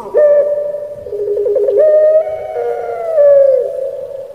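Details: Captive puter pelung Barbary dove from Indonesia in its 'crying' (menangis) voice style: a long, steady mid-pitched coo, then a quick rolling trill, a rising sustained note and a final note that slides down.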